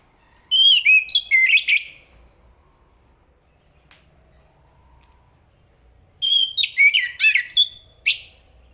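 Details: Enggano thrush, Zoothera interpres, singing two bursts of rapid sweet warbled phrases with twisting notes, separated by a quiet gap of several seconds.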